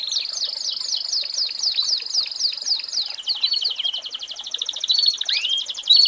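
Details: American Singer canary singing a tutor song for training young birds: a series of about ten clear descending whistled sweeps, then a fast, even, high buzzy trill with a few rising slurs near the end.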